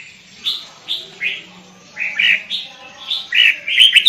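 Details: Sooty-headed bulbul, a caged lure bird, giving spaced mellow slurred notes, then a quicker bubbling phrase, with a low hum behind.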